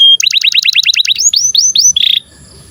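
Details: Canary song meant to coax young and stalled canaries into singing: a fast string of falling chirps, four longer rising-falling whistles, and a short buzzy note, followed by quiet background hum.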